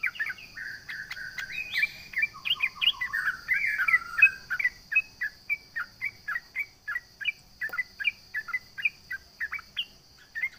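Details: Sooty-headed bulbul song meant to provoke rivals: a dense, jumbled warbling opening gives way to evenly spaced short chirps, about three a second, against a steady high buzzing hum.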